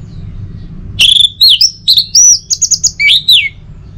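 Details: Orange-headed thrush in North Bali singing in the morning to prompt other birds: after a second of quiet, a continuous burst of rich whistles, fast trilled notes and downward slurs.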